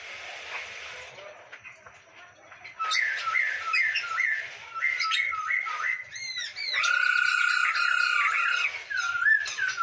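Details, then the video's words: Masked laughingthrush (poksay hongkong) song for training other birds: a series of clear whistled notes, then sweeping upslurred whistles and a sustained steady whistled phrase, over a noisy, hissy background. "MASTERAN BURUNG POKSAY HONGKONG SUPER GACOR"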